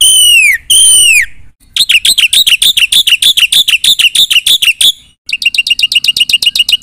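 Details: Black-winged myna in full mimicry song: two long downslurred whistles, then a dense rapid chatter of harsh chirps, a pause, and a quick regular series of high clipped notes.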